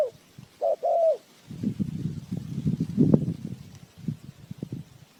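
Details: Spotted dove used as a decoy for trapping birds gives a short two-part coo, a brief note then a longer mellow one, followed by several seconds of low rumbling and knocking noise.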